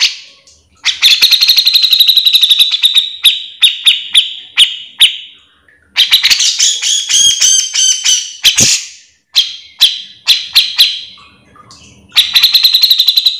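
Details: Grey-cheeked bulbul delivering continuous full gacor song as tutor material or bait for other grey-cheeked bulbuls; repeated phrases of fast buzzy rattling trills, separated by brief pauses and scattered sharp chips, energetic and steady in pitch.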